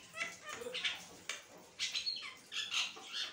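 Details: Continuous chattering song of an Asian pied starling, raspy broadband notes alternating with short whistled slurs, delivered in quick bursts separated by brief pauses.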